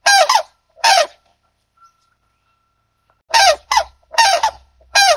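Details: White-naped crane (Antigone vipio), call.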